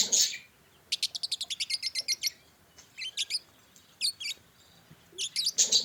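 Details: Pet budgerigars chattering: a rapid run of about a dozen sharp high chirps, then short clustered twitters and squeaky notes from several birds, with bursts of harsher noise at the start and end.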